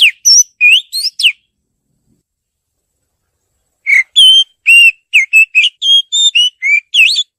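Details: Oriental magpie-robin female calling the male: a few sharp whistles, a long silence, then a steady string of varied clear notes, rising, falling and level, roughly three a second.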